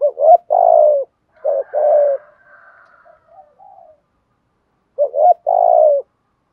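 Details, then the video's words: Male and female spotted doves calling to prompt singing, used to train birds. Two rhythmic phrases of a quick rising double note and a drawn-out descending coo, soft low murmurs between, then the opening of a third phrase. "Chim cu gáy kích bổi mới/ cu cườm gù thúc"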